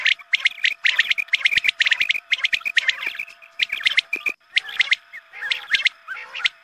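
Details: Quail calls used at dawn prayer time as a lure for quail hunting: rapid clusters of high, sharp chirps, several voices overlapping, pausing briefly before resuming, with a faint constant hum.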